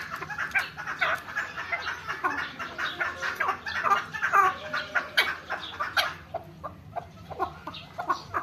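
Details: Farm-raised chukar partridges give harsh, clucking chuk notes in rapid, overlapping bursts several times a second, a busy chorus of several birds.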